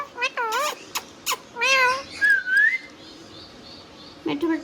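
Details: Pet ringneck parakeet indoors giving a few harmonic speech-like syllables followed by a long smooth rising whistle, then a brief low gruff note.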